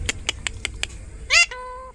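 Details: Pet Alexandrine parakeet at home: a run of five sharp clicking taps, then one short harsh rising squawk and a brief steady tone, between words spoken by people nearby.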